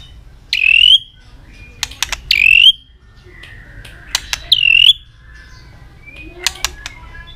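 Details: Tail-flicking white-rumped shama in heated song, delivering three rising whistled phrases spaced a couple of seconds apart, mixed with crisp clicks and a soft flat note.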